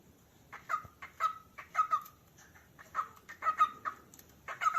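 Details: Cockatiel calling, giving short, clipped chirps in uneven bursts, each a sharp note with a brief falling tail, separated by quiet gaps.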